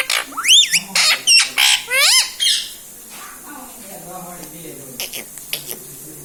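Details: Pet parrot inside a room, said to talk mummy and mithu; a rapid run of about six loud, harsh, bending squawk-like syllables, then quieter murmurs and clicks.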